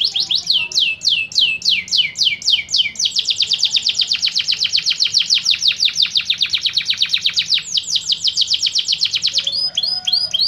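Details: Canary training song with water sounds: rapid repeated downward-sweeping whistled notes, then fast buzzy trills of many short notes, high-pitched and continuous throughout.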